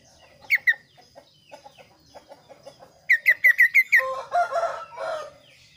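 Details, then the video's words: Varied Kaso kaso song: a quick pair of sharp notes, then soft ticking, then a fast run of six strident, down-slurred notes ending in a rough, buzzy chatter. "suara variasi burung kaso kaso gacor"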